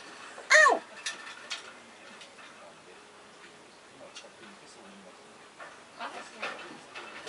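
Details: Pet grey parrot indoors, practising a song and clearing its throat as it sings; one loud, sharp rising-falling squawk early, followed by soft murmured syllables in a quiet room.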